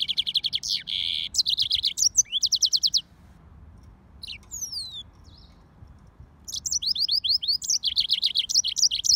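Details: Yellow-fronted canary and canary hybrid singing fast, dense trills of high repeated notes. A quiet gap with a few sliding whistles comes between them before the rapid chattering trills resume.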